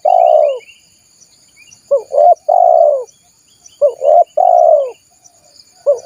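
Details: Spotted dove cooing, used as a lure for wild doves: repeated phrases of two short rising notes and a long, even, hollow coo, about every two seconds, with soft chirps and insect drone behind.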